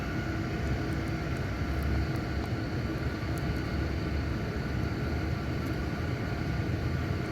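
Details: A steady, low engine or aircraft rumble fills the air outdoors, with no animal calls heard.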